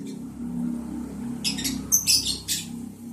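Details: Lovebirds on day 11 of breeding, mating, July 11, 2022: a short cluster of thin, squeaky high chirps over a loud, steady low mechanical hum.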